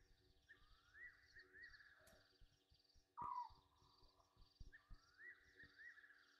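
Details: At Gowrie dam, Djuma Game Reserve in South Africa's Sabi Sand, Egyptian geese take a night bath at 21:32 on 27 August 2023; one sharp, harsh downward honk cuts through a continuous chorus of trilling night callers.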